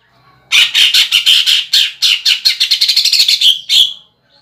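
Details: Greater green leafbird song with a woodpecker-imitation fill: a series of loud, rasping notes that start spaced and speed up into a rapid stuttering sequence before stopping.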